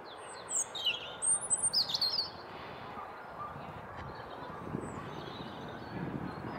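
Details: Robin singing by the leaf yard, undisturbed by the camera: a brief burst of high, thin, warbling notes lasting under two seconds, then only faint outdoor background hiss.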